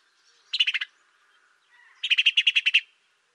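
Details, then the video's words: Sparrow recorded in Africa: two bursts of rapid, bright chirping notes, first a quick run of four, then after a pause a longer string of about nine, over an otherwise quiet background. "Воробей. Африка. Голоса птиц"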